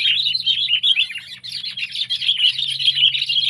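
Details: Sooty-headed bulbul (Pycnonotus aurigaster, kutilang) from Indonesia gives a continuous stream of bright, bubbly chirps and warbled notes, quick and overlapping, over a faint low hum.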